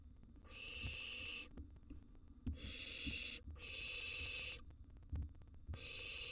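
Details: Wild barn owl nestling in a monitored nest box, during a meal of a large gerbil, giving long harsh hissing screeches about a second each, repeated in a slow irregular series with soft shuffling between.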